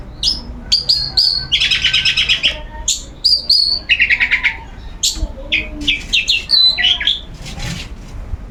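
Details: A long-tailed shrike sings without pause during its regular sunbathing. The song is a dense, varied medley of high whistled slurs, rapid buzzy trills and sharp chirps, delivered in quick bursts.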